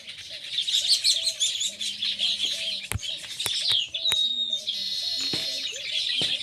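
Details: Baya weavers (Ploceus philippinus) chatter in a dense, continuous mass of high, wheezy, sizzling notes, with sharp clicks and a brief whistled note partway through.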